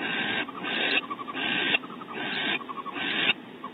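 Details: At Audubon Starr Ranch, California, a male barn owl fetches prey from the pantry for the female on a bonding visit; loud drawn-out hisses alternate with quick runs of soft, rapid twittering notes in the gaps.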